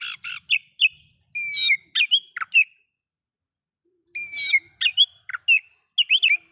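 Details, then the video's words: Oriental magpie-robin song for goading rival magpie-robins: scratchy harsh notes and bright whistled slurs in two phrases split by a silent pause of over a second. "bikin Kacer Lain ikut emosi coba buktikan dengan suara ini"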